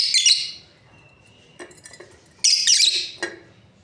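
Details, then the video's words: A breeding pair of lovebirds makes bright, shrill chirping bursts at the start and again later, with a thin faint whistle and soft clicks in between. "Lovebirds parrot chirping sounds"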